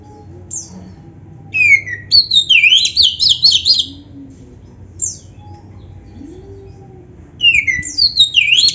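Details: A singing Oriental magpie-robin, a 'gacor' bird with a full 'isian' repertoire, used as a lure to set other magpie-robins answering. Two bursts of rapid, zigzagging high trills are separated by a quiet pause with faint low hum.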